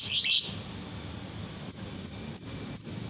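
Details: A lovebird sings to stir other lovebirds into calling. It opens with a harsh, noisy high burst, then gives a run of short thin metallic ticks spaced about every third of a second.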